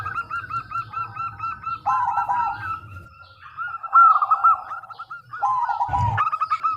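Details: Local zebra dove singing as a lure for other doves to answer; bursts of rapid rolling coos separated by brief pauses, with a sharp loud knock near the end and low background rumble.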